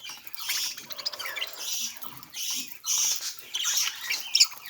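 A budgerigar chatters in quick, scratchy high-pitched bursts with brief chirps between them.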